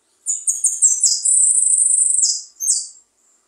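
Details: Jilguero finch singing. Several quick high chirps open the phrase, then a long, fast, even trill and a final short twittering note. No other sounds.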